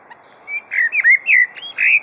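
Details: Superb lyrebird (Menura novaehollandiae) named Chook at Adelaide Zoo, in captivity, gives a quick run of five or six varied bright chirps and whistled slurs as mimicry song; its repertoire includes drill, saw, hammer, kookaburra, magpies, whipbird, magpie-lark and lorikeet flock sounds.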